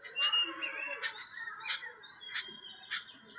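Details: Jungle babbler, locally called saat bhai champa, met by chance; harsh, scratchy broadband notes burst out roughly every half second over a thin steady background of higher tonal chirps from other birds.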